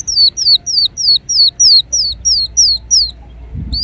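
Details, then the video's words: Kolibri wulung, the ruby-cheeked sunbird, repeating a thin, high note that slides downward, about three per second in a steady series, followed by a faint low thump at the end. "Kolibri Wulung Gacor Dorr Bocor Corr"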